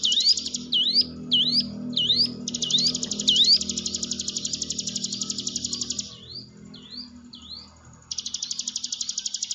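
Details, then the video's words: Hill prinia song played to coax silent, nervous cage birds into singing: four quick V-shaped swept whistles, a long rapid high trill, three downslurred notes, then the trill resumes. "ciblek gunung diam saja kurang loss mental ciut latih dengan pancingan ini"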